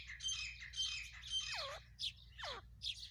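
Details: A female grey francolin in Pakistan calling non-stop: harsh, buzzy squawking notes alternate with shrill calls that sweep steeply downward, repeated in quick succession over a low hum.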